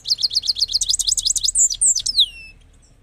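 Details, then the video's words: A goldfinch, reportedly a Parachinar goldfinch, gives a quick run of high, tinkling chirps, about seven a second, then a few clear whistles and a falling slurred note. "Gold Finch Sound"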